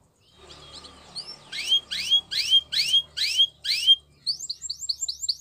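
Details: A Gloster canary for training sings six evenly spaced, loud, sweeping downward whistled notes, then a quicker string of small rising chirps, over a soft low background hum.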